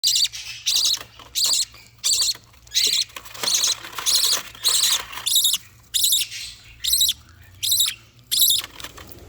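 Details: A 5-day-old budgerigar chick, hand-held by its owner so the mother can feed it apart from its three bigger siblings, gives raspy, hissing begging bursts more than once a second while being fed by regurgitation.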